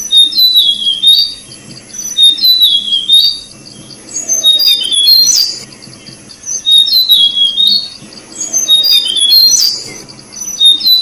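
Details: Tickell's blue flycatcher, breeding resident of Thai forests, feeding young; repeated sweet whistled phrases roughly every two to three seconds across four bouts, high constant hiss behind.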